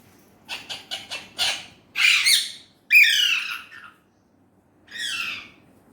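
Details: Indian ringneck parrot said to talk in Urdu/Hindi: a quick run of four short harsh syllables, then two longer loud rasping squawks and a final shorter grating call, with quiet gaps between.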